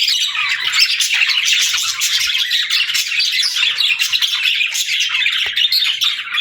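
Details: Many pet budgerigars in a steady, dense twittering chorus of fast chirps, warbles and scratchy calls, running evenly throughout.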